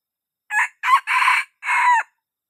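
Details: A young rooster crowing: a four-part cock-a-doodle-doo of harsh, buzzy syllables, the long third note sustained and the last one dropping in pitch at the end. The background is silent.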